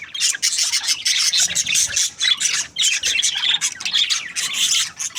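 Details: Breeding pair of budgerigars, called happy, in a steady dense chatter of scratchy chirps and squawks with little pause throughout.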